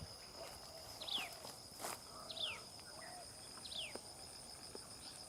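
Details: Common tailorbird tending its chicks; three thin downward-sliding chirps spaced over a second apart, with a brief rustling burst and a steady high insect whine throughout.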